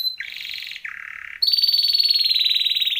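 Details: Timbrado canary training song: a buzzy trill, then a lower rolling trill, then a long, loud, bright, rapid trill that slowly falls in pitch.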